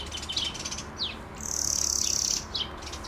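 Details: A European greenfinch calls with quick twittering chirps and short falling notes around a long, drawn-out nasal wheeze lasting nearly a second.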